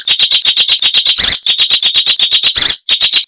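Icterine warbler song: a fast, high run of sharp repeated notes, about a dozen a second, broken twice by harsh grating bursts.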